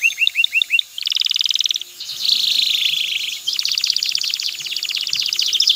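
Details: Song of a male canary urging a female toward mating and nest building: five looping whistles, then a fast trill, a smooth warbled stretch, and a long rapid high trill.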